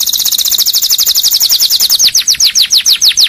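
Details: Canary singing for training and triggering other canaries: a fast, shimmering high trill that shifts into a slower run of repeated falling whistled notes.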